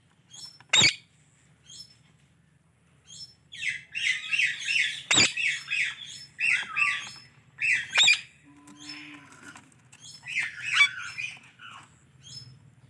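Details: Indian ringneck parrot chattering in rapid, raspy chirps and squawks, several loud sharp clicks, and a brief lower whistled slide, with a faint hum behind.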